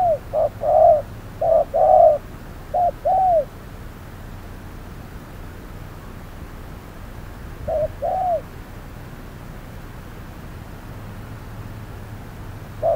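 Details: Spotted dove calling during decoy trapping in midday heat: a burst of short-long coo pairs in the first few seconds, then a long quiet stretch broken by one more pair.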